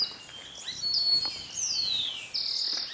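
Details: Montane Woodcreeper in Bellavista Cloud Forest Reserve, Ecuador, May 2012, giving very high, thin whistled notes: one long note sliding steeply downward, then a level high note, over a faint steady insect hum.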